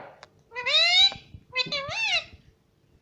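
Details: Talking pet parrot, said to say mummy, papa and mithu, heard indoors: two drawn-out, squeaky, voice-like calls, the first steady and slightly rising, the second wavering up and down, in a quiet room.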